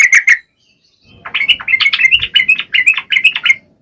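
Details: Yellow-vented bulbul lure song for lazy males: a short burst of notes, a silent second, then a rising run of quick, bright, chattering phrases.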